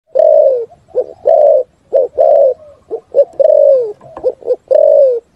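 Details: Spotted dove giving a full 'thúc gù' cooing song that echoes through forest: pairs of short clipped coos followed by long, low, slightly falling coos, repeated steadily.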